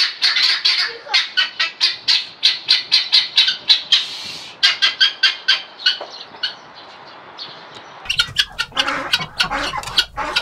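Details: Helmeted guineafowl in the wild give harsh, grating, rapidly repeated cackling notes in a steady rattling chatter.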